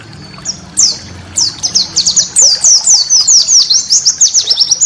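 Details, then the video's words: High white-eye master song for training cage birds: a few sharp notes, then a lively, slightly irregular string of quick downslurred chirps, about two per second. "masteran burung pleci"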